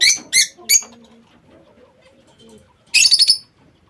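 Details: Lovebirds in a home aviary, three loud shrill screeches at the start, a pause with faint low sounds, then a rapid stuttering burst of harsh chatter.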